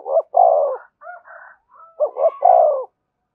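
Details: Spotted dove cooing to entice wild doves to answer and fly in: a loud two-note-and-coo phrase, soft intervening coos from a second dove, then the loud phrase repeated.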